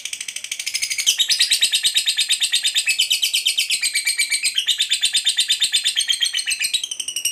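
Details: Lovebird in a long calling chatter to draw other lovebirds: a fast, dense, shrill rattle of high pulses, rising in loudness after the first second and sustained throughout.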